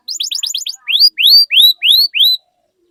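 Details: Canary song played to prompt other canaries to sing: a quick run of about seven high chipping notes, then five loud upward-curving whistled sweeps spaced roughly a third of a second apart, ending cleanly in silence.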